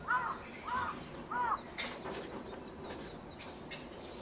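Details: Australian magpie from a family raising chicks: three loud, arched, harmonic calls about two-thirds of a second apart, followed by a faint chorus of small birds chirping in the background.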